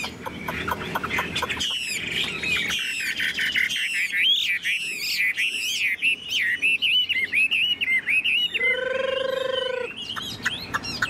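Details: Caged tame Chinese hwamei sings vigorously while carried in its cage, pouring out dense looping whistles and quick notes; a steady low tone sounds briefly near the end.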